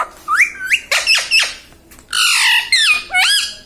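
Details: Pet parrot talking indoors, saying "Mummy": sliding, nasal harmonic syllables, first rising then falling, in two clusters, with a broad harsh burst near the middle and a final up-down whistled phrase.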